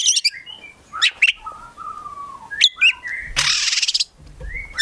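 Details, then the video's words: Kept Oriental magpie-robin singing varied phrases: sharp high chips, long level whistles and a harsh rasping burst, with some background rustle and thumps. "KACER GACOR FULL ISIAN BIKIN KACER APAPUN LANGSUNG NYAUT"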